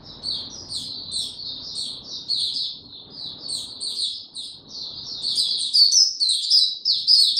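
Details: Singing white-eye, no health supplements given, recorded 29 April 2022: steady high twittering of short chirps that grows louder and busier in the last seconds, with faint low background noise.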